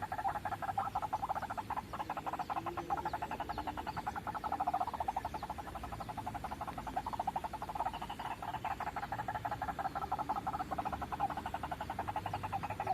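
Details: White-breasted waterhen calling, used as a lure for trapping: a loud, unbroken stream of rapid guttural pulses that swells and fades over several seconds.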